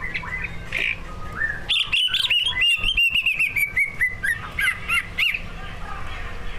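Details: Competition-grade greater green leafbird with mimicked song phrases, used as a lure to prompt other birds to sing: a burst of rapid, loud whistled notes and chattering trills, varied and fast-paced, with faint low hum behind.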